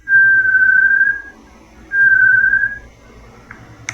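Variegated Tinamou: two long, pure, level whistles about a second apart, each held for over a second in a mid-high pitch, with faint room noise behind.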